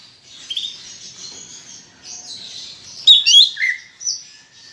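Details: Greater green leafbird singing steadily in chattering style, a lure for pet birds: soft continuous high twittering, then a louder run of whistled slurred notes sweeping down and a clear sustained high whistle.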